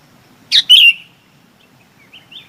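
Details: A single bulbul phrase used to call the flock: a sharp chip followed by a clear, slightly descending whistled note, then faint soft twitters.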